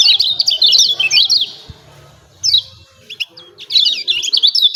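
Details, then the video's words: Lemon-bellied white-eye producing busy 'ciak ciak' chatter used to provoke song in kept birds. Dense high squeaky chirps for over a second, a pause broken by a few isolated calls, then renewed rapid chattering. "CIAK CIAK JOSS KECIAL KUNING AMPUH"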